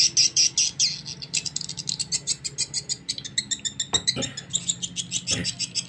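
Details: Swiftlet lure-call recording of young swiftlets, including mating calls: rapid, high, dry twitters about twice a second, with brief low clicks and a faint hum underneath.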